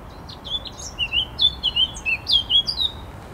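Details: Song of a Eurasian blackcap recorded 14 July 2021, a bright warbling run of some ten clear whistled notes, several dipping and rising, delivered rapidly over about three seconds against quiet background hiss.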